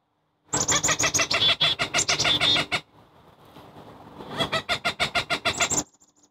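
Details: An agitated Cooper's hawk scolding and harassing a preening long-eared owl in Chicago on November 5, 2023, gives a harsh, rapid cackling series of about three notes a second, in two loud bursts separated by a short pause.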